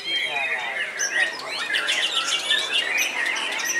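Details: Elderly white-rumped shama in a hanging cage delivers a rich, fast song of bright whistled swoops, clear high notes and rasping chatter, tightly packed without pauses at a steady loudness.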